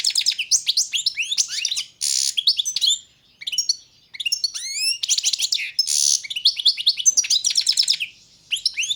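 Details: Almost unbroken singing from a European goldfinch, subspecies balcanica: high liquid twittering, fast trills, two harsh buzzy bursts and rising whistled slurs tumbling one after another.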